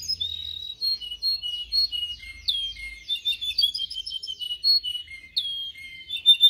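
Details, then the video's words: Canary singing, used as training song for canaries: varied whistled phrases of short chirps, slurred notes and quick sliding tones that change every second or so. "Video for Canary training 25 m. Canary training 0.25 Hour canario canary song"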